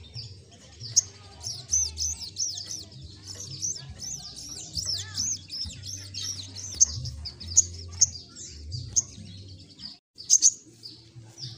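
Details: Continuous, excited chattering of an olive-backed sunbird in gacor ngleper song, a dense tumble of high, quickly varying twitters and sharp ticks, with a brief pause near the end.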